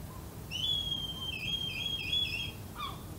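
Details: At first light in early August, two red kite chicks at their roost beg constantly for food: a long, thin, high wavering whistle of about two seconds, then a short lower falling note, over a faint low rumble.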